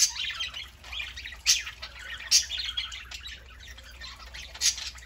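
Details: Indoor group of pet budgerigars on a Saturday morning: steady high warbling chatter with occasional louder harsh squawks spaced about a second apart, chirps scattered throughout.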